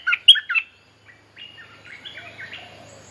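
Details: Bulbul mate-calling song used as a lure to teach young birds: three loud, sharp chirped notes in quick succession, then a softer run of warbled, wavering whistles after a short pause.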